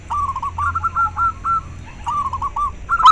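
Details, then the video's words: Zebra dove of local stock, with its call played to rouse breeding drive and lure doves. Two softer bursts of quick, slurred, mid-pitched cooing notes are separated by a brief pause, over a steady low background hum. "Perkutut lokal suara ampuh untuk merangsang terapi masteran dan ahli pikat"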